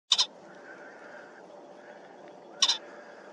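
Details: A cock pheasant calling in the dark, one that visits the spot every day, gives two harsh, ringing double-noted bursts about two and a half seconds apart, over a faint steady background hum.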